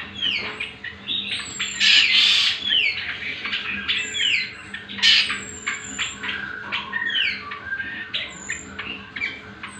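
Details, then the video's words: Training and trigger recording of a cucak kombo, or greater green leafbird: bursts of loud mixed whistles and chatter, sharp downslurs and short sweeping notes, varied and irregular, with a thin high whistle recurring behind. "Pancingan dan Masteran Cucak Kombo"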